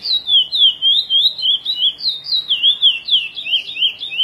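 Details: Chestnut-bellied seed finch singing the praia curió style, edited for tutoring; a flowing line of clear, slurred whistles rising and dipping, repeated at a brisk even pace, with a rougher twittering stretch near the end.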